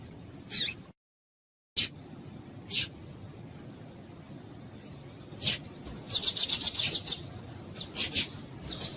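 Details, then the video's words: Captive-bred female papa-capim (yellow-bellied seedeater) calling to stimulate males before song tournaments: sharp high chirps spaced a second or more apart, then a rapid burst of about eight quick notes, then scattered chirps, with a short silent gap early on. "Piado de Fêmea de Papa capim para Esquentar Papa capim"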